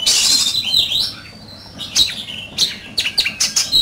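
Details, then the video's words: Oriental magpie-robin in competitive song: a rough, buzzy opening and a thin falling whistle, a quieter pause, then quick bright chirps and clipped whistles picking up toward the end. "Chòe Than,Bộ Đẹp,Hót Đấu Căng Lửa"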